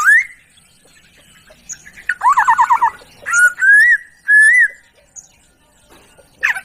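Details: Laughingthrush song from a tutor recording for training songbirds: a rising whistle, a fast burst of stuttering notes, then three smooth rising-and-falling whistled phrases separated by short gaps.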